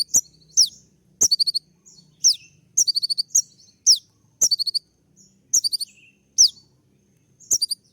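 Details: Courting olive-backed sunbird with sharp 'shooting' notes: shrill descending whistles paired with brief rattling trills, repeated at uneven intervals of about one second, with faint low hum beneath.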